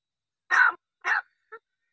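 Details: Crow that talks, saying only Marathi "ho" and "kay": two rasping, throaty utterances about half a second apart followed by a short faint nasal note, in otherwise quiet surroundings.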